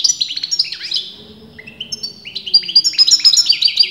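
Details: Bright, continuous song of a European goldfinch, sex disputed by breeders: chirpy notes give way to a few softer, lower whistles before an excited rush of high, ringing twitters.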